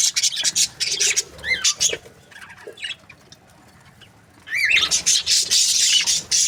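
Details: Budgerigar breeding pairs chirping: bursts of sharp, high squawky chirps and a few rising whistled notes, with a quiet gap in the middle before loud chatter resumes.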